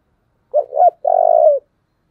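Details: Single thổ-style phrase from a spotted dove kept as a decoy: two short bouncing notes, a brief pause, then a long steady coo that tails off downward.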